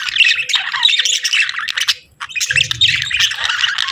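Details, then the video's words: Pet budgerigars chirping and chattering in a dense run of warbled, buzzy notes, briefly pausing near the middle before resuming, with a low hum underneath in the second half. "Sweet Budgie Chirping Sounds"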